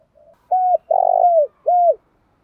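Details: Field spotted dove in the thúc dâu style gives one phrase: a faint soft note, then three clear mellow coos, the middle one longest, wavering and falling at its end.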